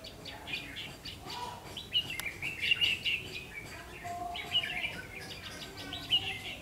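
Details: Red-whiskered bulbul, ché type, singing at a double spring trap at 5 pm, 3 September 2016: lively warbled whistles in bursts, some sharp bright notes, with one click and other chirping in the background.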